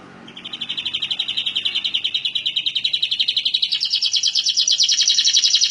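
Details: Canary singing a rolling song used as a tutor recording for other birds: a fast, even trill of rapid repeated notes that rises in pitch and grows louder over about five seconds.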